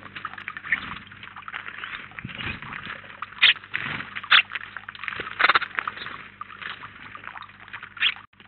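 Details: House sparrows gathered at a feeder in Collado Villalba, Spain, around nineteen at once; continuous busy chatter of short chirps with several louder, sharper chips standing out every second or so.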